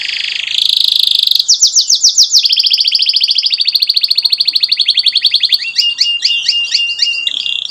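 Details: Canary song meant to teach young canaries: a buzzy opening, then a long rapid rolling trill of even notes, ending in sharp two-part chirps repeated several times a second.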